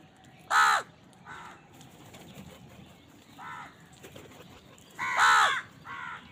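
A crow gives five harsh, nasal caws at irregular intervals, two loud and three softer, over a faint background hiss.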